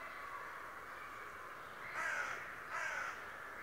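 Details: Two hoarse, rasping notes from a raven described as talking and spying daily, spaced under a second apart over steady background hiss.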